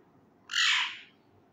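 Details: Male Indian ringneck parakeet, a pet in the middle of learning words, lets out a single loud, harsh squawk lasting about half a second.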